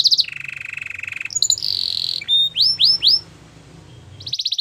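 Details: Canary song meant to woo other canaries and for training: rapid high trills and rolls shifting between tours, a steady lower buzzing trill, then a series of rising swept whistles and a final fast trill.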